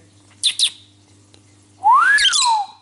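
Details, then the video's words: Cobalt lovebird kept as a pet, singing and talking with its owner indoors: two short sharp high chirps, a pause, then a smooth whistled note rising and falling with harsh noisy overtones. "Talking Lovebird Singing Agapornis Cobald - Are You Talking To Me? Lovebird Talking 7 minutes"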